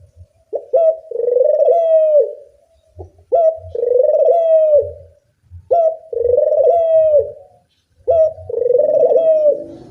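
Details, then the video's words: Puter dove cooing, made as a loud lure for training doves: each phrase opens with a brief rising yelp, then a sustained wavering coo that falls at the end. Four phrases come at steady intervals over a soft low thumping. "Pancingan puter bersuara nyaring, melatih bunyi semua jenis burung puter"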